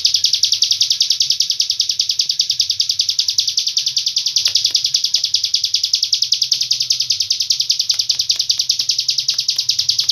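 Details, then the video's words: Long-breath Hill prinia song used as a tutor recording, from Cililin: an unbroken, high, rapidly pulsed chattering trill held steadily for ten seconds, with no pause and only faint background. "ciblek gunung isian cililin nafas panjang"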